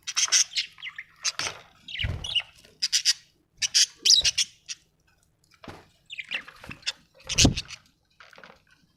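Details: Happy pet budgerigar chirping in bursts of scratchy warbles and squeaks, with several dull low thumps mixed in between phrases.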